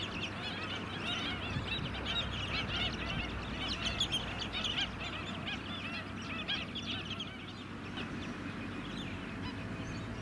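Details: White-headed Stilts, a flock on Scarborough mudflats in Queensland, July 2017, produce a thick wash of overlapping honking yelps, loudest in the first half, with low engine noise throughout.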